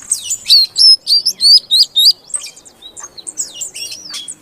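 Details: Female Oriental magpie-robin calling so a silent male starts singing: a fast run of loud, high rising chirps, about four per second, followed by softer scattered twitters.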